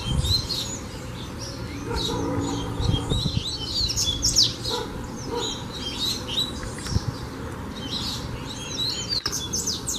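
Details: A coleiro in fibra training delivers a continuous stream of sharp high chirps and slurred whistles, with occasional low knocks and a steady background hum.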